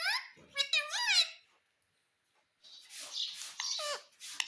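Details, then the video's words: Pet parrot kept indoors, taught to say mitthu and mummy; two bursts of high, wavering voice-like syllables with quick rising and falling slides, separated by a second of silence. "मिट्ठू मिट्ठू बोलेगा तोता _ मम्मी बोलने वाला तोता मैना _ parrot sound"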